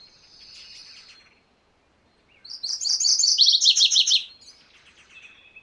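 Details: A MacGillivray's warbler gives a soft buzzy note, pauses, then bursts into a loud song of about a dozen quick, high chirps whose final notes drop lower. It is followed by a faint trailing buzz.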